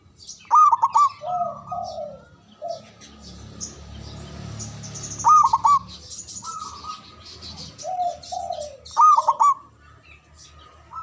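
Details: Javanese local zebra dove, its loud, long song used to lure birds and restart mute doves. Three loud bursts of quick rolling coos about four seconds apart, with softer sliding coos between them and scattered high bird chirps.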